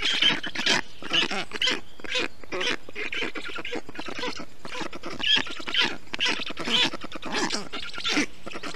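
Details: Young black storks calling from their nest in Estonia during June heat, after an adult has wetted it with water, moss and grass; rough, nasal, quacking bursts repeated irregularly about twice each second.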